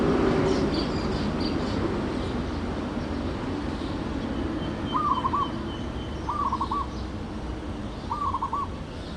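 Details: Zebra dove, known locally as merbuk, merbok or perkutut, giving a soft, rapid trilled cooing phrase about every one and a half seconds, three phrases in all, over a steady low background rumble.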